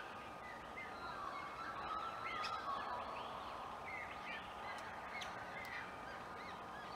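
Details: Nest-building White-winged choughs recorded in Clunes, Victoria, 27 September 2021: faint arching, downslurred whistles repeated through the clip, with a few sharp clicks, against constant broadband background noise.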